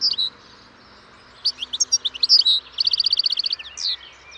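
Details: Sweet, tinkling goldfinch twitter: a few clear chirps, then a busy jumble of high notes and a fast even trill of about twelve notes, closing with a slurred chirp.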